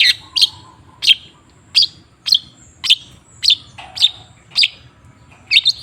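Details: Long-tailed shrike lure sound to encourage a silent shrike to sing: sharp, harsh chip notes repeated roughly every half second, with a faint low hum between them.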